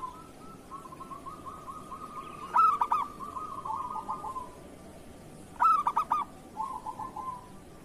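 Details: Local Indonesian zebra dove (perkutut lokal) singing in kerot style, used as master song for training other doves: two loud stuttering coo phrases about three seconds apart, joined by a soft, steady rolling trill.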